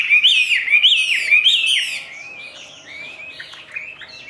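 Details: Chinese hwamei kept in a cage belting out loud, buzzy-edged whistled notes in quick succession for two seconds, followed by softer, fluting phrases that rise and fall.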